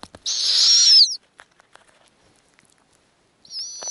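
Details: Snowy owl at an Arctic nest where eggs are hatching and the female feeds tiny owlets; one loud, long, hissy whistled screech wavering then dropping at the end, silence with soft taps, then a thinner whistled call starts.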